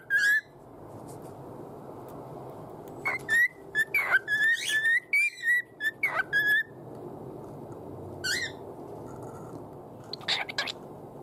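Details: Pet cockatiel whistling a loosely rearranged "Hato Poppo" children's tune indoors: a run of short, bright whistled notes that slide slightly up and down, then sparse softer sounds and scattered brief chirps after a pause.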